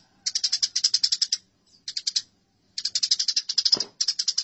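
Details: Eurasian tree sparrows fighting: bursts of fast, harsh, evenly pulsed chattering notes, with a brief low thud in the final burst.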